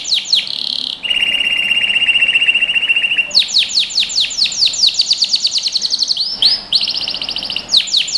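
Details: Singing canary used to train young birds: brief chirps lead into a long, even, rattling trill, followed by a series of rapid downward-sweeping notes, a brief upslurred whistle, and more quick falling chirps.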